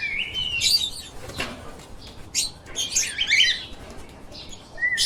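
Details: Harsh, busy lovebird chirps come in dense bursts with a short pause, ending on a thin rising squeak.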